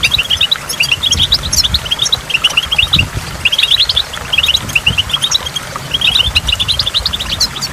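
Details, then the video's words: Goldfinch song beside a waterfall with dripping water: clear, bright chirped notes in short rising-falling runs of three to five, repeated about every second, set against rushing water and low rumbling. "in the waterfall stimulates goldfinch and water drops"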